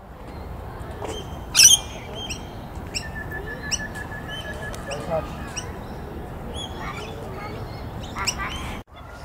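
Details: A Rainbow Lorikeet in the Wollongong Botanic Gardens, Australia, gives one sharp, harsh screech among the chirps and short whistles of several other birds against a steady background hum.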